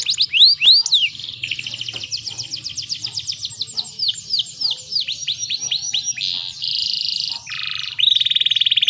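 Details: Female canary in breeding condition, played to provoke male canaries into song: varied high phrases of swooping whistles, quick rolling trills and buzzy notes, ending in harsh, rasping rolls.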